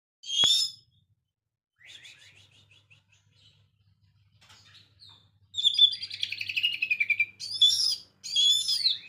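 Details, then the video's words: Oriental magpie-robin singing a lively song with chattering ngekek variations: a sharp high whistle, a pause, a soft run of quick twitters, then dense high warbles and scratchy chatters in bursts. "KACER GACOR VARIASI NGEKEK"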